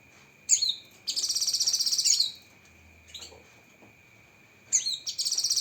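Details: Cucak kinoi leafbird with sharp 'tembakan' shots: a whistled downslurred note, then a second-long high rapid trill, a pause with soft notes, and another slur leading into fast chatter; faint constant whine behind.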